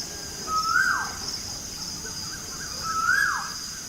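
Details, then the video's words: Birds chirping in the morning: two soft whistles spaced over two seconds apart, each a level tone that rises slightly and then drops sharply, against a constant hissing background. "Birds chirping sound in the morning"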